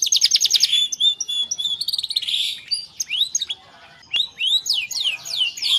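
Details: Canary singing to prompt other canaries, starting with a rapid trill, followed by scratchy warbles and a brief pause, then a set of arching whistled sweeps.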